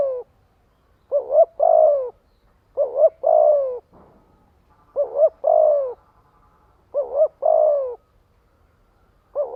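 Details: Lure spotted dove gathering wild doves, repeating a three-part coo, two short notes and a lingering descending note, about every two seconds, with a brief faint click midway.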